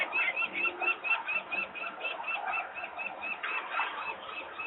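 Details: Peregrine falcon adults call in alarm at a Włocławek, Poland nest site on 23 May 2022, disturbed by noisy workers, with the young females still on the landing. Hoarse, rapid repeated cries run throughout over a muffled background.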